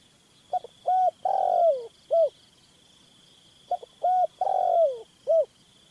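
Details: Spotted Dove used in dove hunting, giving a phrase of short lead-in notes, a long downward-sliding coo and a final short note, repeated twice; steady insect whine in the background.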